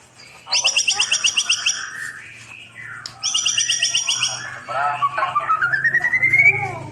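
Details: White-rumped shama song used to tutor birds that stopped singing: two bursts of rapid buzzy high trills, a churring passage, then a long whistle climbing steadily in pitch, with a steady low hum underneath.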